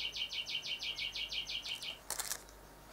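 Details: Fast, evenly spaced ringing notes, several per second, from a male Rufous Whistler singing at the house windows to his reflection, ending with a short burst of harsh broadband noise.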